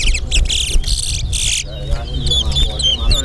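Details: Towa towa at a bird whistling competition at Alligator Pond delivers dense whistled trills in quick blocks, followed by sweeping high slurred notes, with strong low background rumble and voices.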